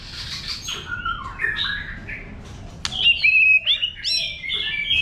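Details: White-rumped shama singing wild-type song to stimulate birds: soft warbled phrases at first, then a sharp click and louder clear whistles with sliding, varied notes.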